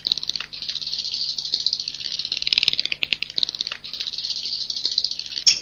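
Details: Swiftlet roosting sound of the 'Inap Ababil' kind: a continuous, softer, rattling high trill with slight rises and falls, no clear pauses.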